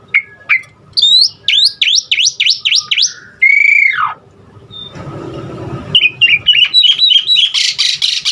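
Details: Asian pied starling with varied imitated fill-in sounds to stimulate other starlings: fast repeated whistled sweeps, a long falling whistle, a brief noisy rustle, then a run of short chattering notes.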